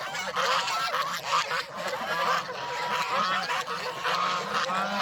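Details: Farm flock of geese let out of their pen to feed on fresh greens, giving a dense, unbroken chorus of loud nasal honks that overlap throughout.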